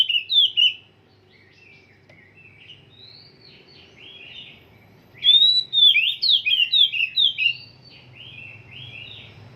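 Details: Oriental magpie-robin (kacer) still at the stage of having its song set and trained: a short burst of slurred whistles, a quiet gap with soft low warbling, then a rapid run of about eight bright, looping whistled notes. Faint low hum underneath.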